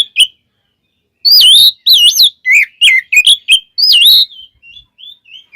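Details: Oriental magpie-robin (kacer) song played as a lure to get other birds singing: rich, varied whistled phrases with looping, wavering notes in quick bursts, trailing off into softer short whistles.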